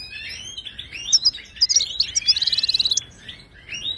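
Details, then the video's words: European goldfinch of Moroccan Ouidani stock, song used to teach caged birds. Scratchy twitters build into a loud, evenly pulsed buzzing trill lasting about a second, then quieter slurred notes. "هل عصفورك صامت قدم هذا التغريد له وشوف كيف يتفاعل معه"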